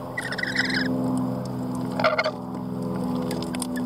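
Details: Harsh, grating lorikeet screech lasting under a second, followed by a shorter rasping burst, over a steady low electrical hum and faint clicks.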